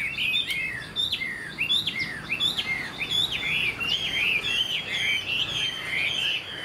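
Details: A bird of this year, the Chinese hwamei here described as tail-flicking and singing well, gives bursts of sharp rising and falling whistles, short phrases repeated in quick succession, loud and clear against little background noise.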